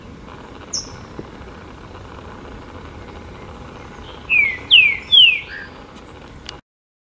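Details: Green-winged saltator (Saltator similis) at the Botanical Garden, São Paulo, Brazil, 28 September 2017, gives one song phrase: a faint high note, then three loud, clear slurred whistles in quick succession, over a steady low hum.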